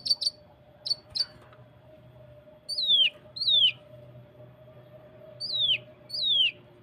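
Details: Cucak kinoi (Common Iora) tutor recording, 'tembakan rapat' variation, used to coax singing: a cluster of quick high chips, followed by two pairs of clear whistles sliding steeply downward, with soft hum beneath.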